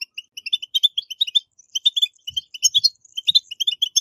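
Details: High, rippling twitter of a European goldfinch, the 'batbata' chatter used to stimulate captive birds into song; dense, quick notes pour out steadily, with a few faint low taps.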